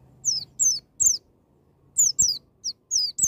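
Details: White-eye giving "ngalas" wild-style song to stimulate a young bird: short bursts of high, thin, falling whistled notes in two groups separated by a brief gap, over a low humming background.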